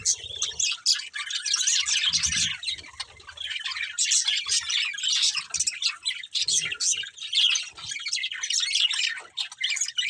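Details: Pair of breeding budgies keep up a lively warbled chatter, high squeaky chirps rising and falling in short bursts, with a few faint low knocks in the background.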